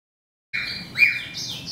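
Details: Hybrid of a male grey singing finch and a female black-throated canary in breeding season, giving a brief burst of high whistled and buzzy notes after half a second of silence, one note rising and falling, over a low background hum.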